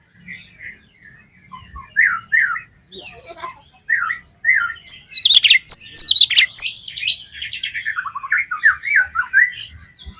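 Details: Oriental magpie-robin singing to provoke other magpie-robins into song: soft slurred whistles at first, then a loud dense run of sharp clicks and high notes, ending in rippling descending warbles.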